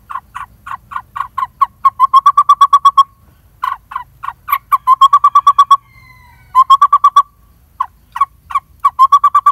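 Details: Lineated barbet at its nest cavity in a dead durian tree, feeding a nearly fledged chick; deep hollow notes delivered in quick rhythmic bursts separated by short gaps, with a few louder harsh notes between.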